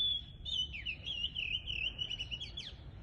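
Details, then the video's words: Wild bird singing in the countryside, a continuous high twittering warble with sliding whistled notes and quick downward sweeps for about three seconds, over a low rumble of background noise. "小鳥の囀りで癒される🐦️ The chirping of birds is soothing."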